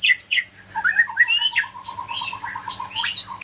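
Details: Medan-type white-rumped shama in song, mixing high squeaky and chattering notes with a long run of evenly repeated mid-pitched notes. A faint low hum runs underneath.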